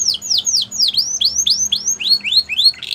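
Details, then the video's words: Song of a Border canary, used to train young canaries: clear high descending swept whistles repeated in a regular rhythm, some notes curving upward, ending in a brief buzzy burst. "Border Canaries | Canary Training Song"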